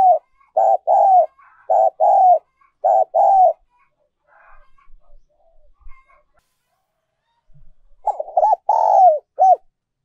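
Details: Spotted dove decoy song in the high-pitched style known locally as the needle voice: loud, clean cooing notes in quick pairs and triplets, a pause with faint softer sounds, then another run of coos ending in a longer drawn note.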